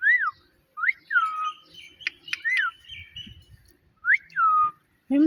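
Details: Pet talking parrot mimicking: a few clear whistled syllables that slide downward, spaced over several seconds, with soft clicks and faint low rustling between them.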